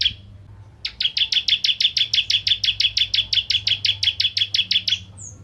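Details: Bar-winged prinia of the Ciblek Kristal type, a lively singer used as a lure to provoke other prinias to sing: a fast, steady train of about twenty-five sharp, clipped notes, roughly five per second, over a faint low hum.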